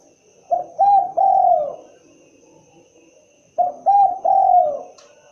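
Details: Spotted dove cooing, two phrases each with a short lead note, a quick double coo and a long falling coo, about three seconds apart, over a quiet steady background hum.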